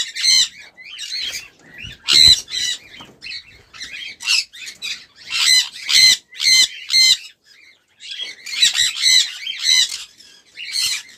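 Sun conure giving harsh, piercing screeches in quick bursts, about two per second.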